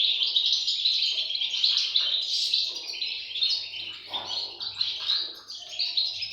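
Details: European goldfinch chicks begging: a dense, continuous chorus of high, rapid twittering and squeaky notes, overlapping without pause and swelling and fading in loudness, with a faint low hum beneath.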